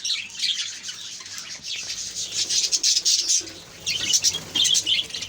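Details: Budgerigar colony in captivity producing a constant stream of shrill chirps and chattering warbles, loudness rising and falling as individual birds call over the group.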